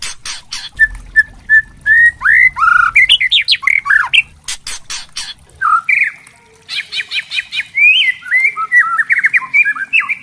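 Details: Song of a spotted 'trotol' white-rumped shama, used to provoke other shamas into singing; sharp clicks and steady whistled notes, a climbing series of rapid warbles, faint low rumble early on, then bursts of fast chattering notes and slurred whistles.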